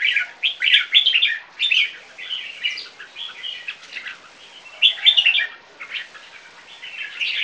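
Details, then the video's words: Two three-month-old Viet-Thai crossbred red-whiskered bulbuls sing against each other in quick bursts of bright, chattering, warbled phrases that overlap and answer one another. "jambuls LC2 VC1 keke versus LC1 VC1"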